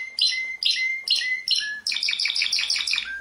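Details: Canary sings short clipped bursts, each ending in a thin whistle, followed by a quick run of bright, repeated chirping notes.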